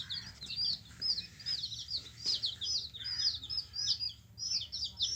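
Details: Yellow baby chickens chirping together: a steady stream of high, thin peeps sliding downward, overlapping from several chicks, with a low background hum throughout.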